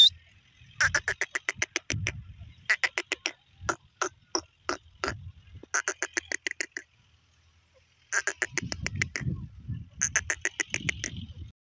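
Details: Desi irani teetar, a black francolin, calling in harsh, rapid trains of clicking, grating notes. Bursts last about a second and are separated by short pauses, with low rumbling background noise in places.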